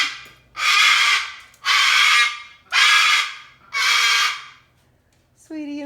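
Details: A pet cockatoo screams at the neighbour's farm equipment harvesting hay: four harsh, raspy screams about a second apart; a woman's voice speaks briefly at the end.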